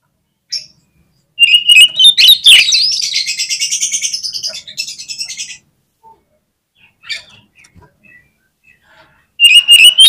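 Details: Gacor singing from a kacer (oriental magpie-robin): sharp whistled bursts lead into a long, loud, buzzy trill lasting about three seconds, then sparse chirps, and a new shrill whistled phrase at the end.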